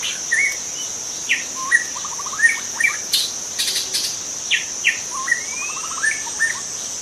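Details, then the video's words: Young wild white-rumped shama in forest, giving short varied phrases: clear whistles, upslurred notes and quick rattling trills of rapid repeated notes, separated by brief pauses, over a steady high insect drone throughout. "Kicau murai muda hutan"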